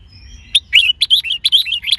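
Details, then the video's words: Red-whiskered bulbul male singing with a female nearby as a stimulus: lively, evenly spaced whistled notes, bright and slurred, delivered in quick succession. "Luyện chào mào hót GIỌNG HAY -KÈM MÁI KÍCH TRỐNG.,kích chào mào hót căng lửa"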